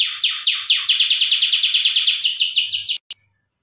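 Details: A canary's mating song, meant to stimulate breeding: one steady, loud trill of quick repeated downward-sweeping notes lasting about three seconds. It stops abruptly, followed by a single short note.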